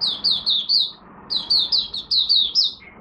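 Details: Oriental white-eye from Malaysia, kept caged, in its first warm-up singing of the day: two quick runs of high, bright, falling whistles, four then six notes, ending on one lower chip.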